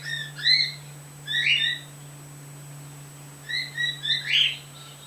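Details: A white pet bird, female, making calls lately, recorded through a screen door with a male bird nearby: harmonic chirps with stacked bands, in three bursts about a second apart, over a steady low electrical hum.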